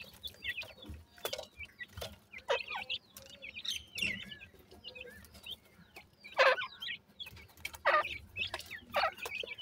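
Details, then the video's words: Francolin chicks at feeding time call in scattered high chirps, some in short two-note pairs, amid frequent sharp clicks and rustling from pecking and scuffling. "dakhni teetar checks,sindhi teetar cheacks are feeding with playing"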